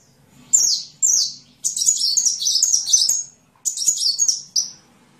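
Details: Sunbird song used for training songbirds: high, sharp descending slurred notes, then a long run of fast jumbled twittering, a pause, and another twittering burst ending in a falling whistle.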